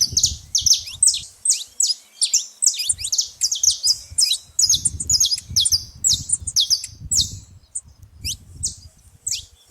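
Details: Dense high chirping from a noisy saffron finch at a baited feeding spot, bursts coming roughly twice a second, over intermittent low rumble.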